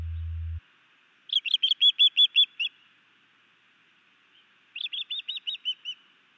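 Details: A new male osprey's sky dance and fish gift to his mate at a Hellgate Canyon nest, Missoula, Montana, spring 2019: two quick strings of shrill, whistled chirps, the second shorter. A brief low hum opens the recording.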